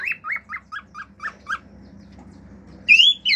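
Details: Pet male cockatiel performing: seven evenly spaced short chirps, then silence and a loud level whistle with harmonics near the end.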